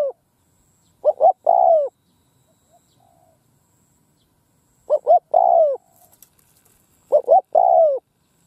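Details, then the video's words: Spotted dove used as a decoy, singing in a Vietnamese field to call in wild birds: three evenly spaced phrases of two short notes and a long downslurred coo, quiet background. "Tiếng cu mồi đất gù gáy vang dội cánh đồng"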